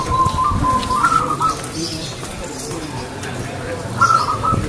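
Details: Local zebra dove, called perkutut, singing actively with a clear crystal voice: a bright high opening phrase followed by softer lower notes, then another high phrase near the end, over steady background noise.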